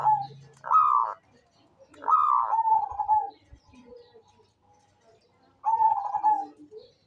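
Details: Vigorous local zebra dove gives rolling cooing phrases, each a rising bubbling burst that settles into a lower, drawn-out purring coo, with quiet gaps between.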